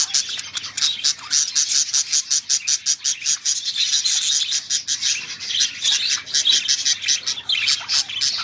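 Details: Pet bird described as jealous, recorded indoors on 3 December 2012: rapid, high, thin chirps repeated steadily about three times a second, forming a continuous insistent twittering series.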